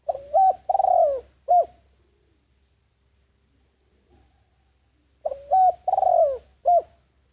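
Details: Spotted dove decoy bird calling in wild doves: two identical phrases of deep coos, each a short rising note, a long sliding coo and a clipped final note, about four seconds apart.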